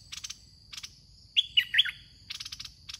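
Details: Red-whiskered bulbul at a decoy trap, caged bird calling to draw wild birds: one quick phrase of four clear, liquid whistled notes, framed by buzzy pulsed insect trills before and after and a thin steady tone.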